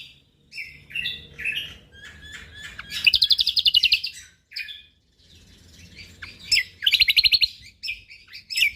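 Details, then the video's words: Lombok white-eye in lively, dense song: chirps and jumbled high notes build into a loud, buzzy rapid trill lasting about a second, then a pause, more chatter and a second similar trill. "Cucak Kombok Juara / Kecial Kombok Gacor Full Tembakan rapat"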